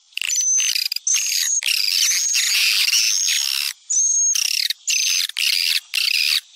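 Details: Sumatran swiftlet-attracting call: bursts of dense buzzy twittering, each about half a second to a second long, often opening with a thin high whistle, separated by short silences.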